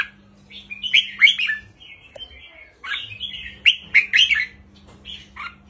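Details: A caged red-whiskered bulbul sings short, simple 3-4-5 counted phrases used to rouse other birds; two bursts of rich slurred warbles separated by a quiet gap, over a low hum.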